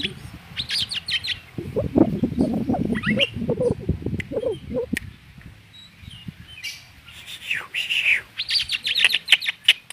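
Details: Oriental magpie-robin (kacer) singing rapid chirping phrases at the start and end, while a loud low rumbling sound dominates the middle stretch.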